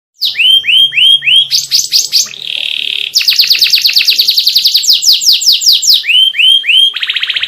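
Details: Canary song, full of varied phrases meant to provoke other canaries: rapid downward-sweeping whistles, looping rolled notes, a buzzy steady trill, then fast repeated chips, ending on a quick high trill.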